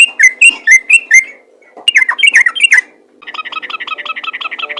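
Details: Yellow-vented bulbul singing in lively fighter style, used to lure other bulbuls: quick bursts of slurred whistles, a short pause, a jumbled bubbly phrase, then a fast even run of clipped chirping notes.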